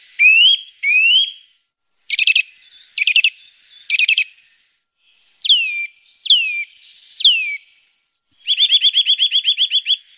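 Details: Eurasian nuthatch calls used as a lure for birds: two rising whistles, then short rapid stuttering bursts, three sharply falling piping notes, and finally a fast, even trill of about a dozen notes.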